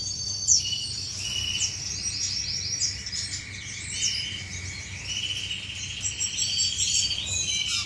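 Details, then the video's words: Several finches in an aviary during courtship, May 2015, produce a dense overlapping chatter of high twittering notes, buzzy trills and short whistles, with a steady low hum underneath. "غزل بين طيور الفنش داخل مطير"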